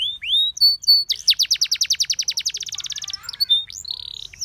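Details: Canary singing a training song: whistled slurs lead into a long rolling trill that speeds up toward the end, then clear sustained whistles and short chips.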